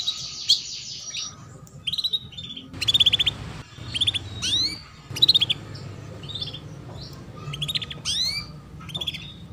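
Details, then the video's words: Female canary chirping, used to coax young canaries into song: short clusters of sharp high chirps and a few downward-sweeping notes, repeated every second or two, over a low steady hum. "PANCINGAN Kenari BETINA Cuit Cuit"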